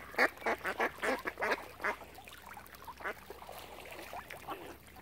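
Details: Ducks around a swan family at Oxford Island on Lough Neagh, Ireland; a rapid run of about seven loud harsh quacks opens, then softer scattered calls fade away.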